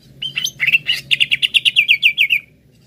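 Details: Greater green leafbird song used to stimulate singing: brief rising whistles open into an even, fast string of about fourteen ringing down-slurred notes, steady and bright, over a faint low hum.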